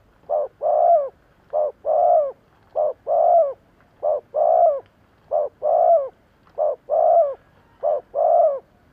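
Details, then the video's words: Lure cooing from a spotted dove kept to attract wild doves: paired notes, a brief coo then a drawn-out soft one, repeated steadily seven times in quick succession, clean and dominant. "Tổng hợp chim cu gáy thúc gù / Cu gáy kích mồi Cực chuẩn / Tiếng cu gáy kích bổi nhanh nổi"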